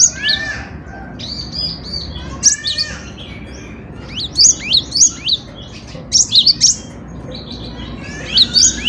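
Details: Cinereous tit (gelatik batu) in full song, used for training songbirds: sharp, high, downslurred chirps in irregular clusters of two to four, separated by short pauses, with a steady low hum beneath.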